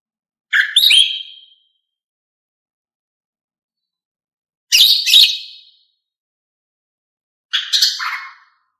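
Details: Singing female greater green leafbird, used to coax males into song. Three separate bursts of quick, high, twittering chirps are spaced roughly three to four seconds apart, each sliding down at its end, against a quiet background.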